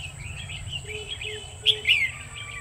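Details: Red-whiskered Bulbul song recorded while trapping wild birds with a decoy, 1 October 2019: quick chirpy warbled notes followed by two sharp, louder whistled phrases, over a low background rumble.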